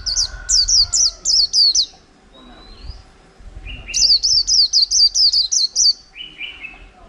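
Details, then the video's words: Caged white-eye, in the cage just over a month after wild capture, singing in the chẹo là líu style: bursts of rapid, high, sharply downslurred notes, then a thin whistle and lower two-part phrases, with a quiet low hum behind. "chim khyên víp mộc hơn tháng lồng cheo là líu hàng tuển"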